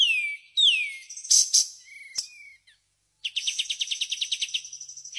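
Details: White-shouldered triller mixing loud downslurred whistles and harsh scratchy notes, then breaking into a rapid 'tembakan' trill of even, sharp repeated notes.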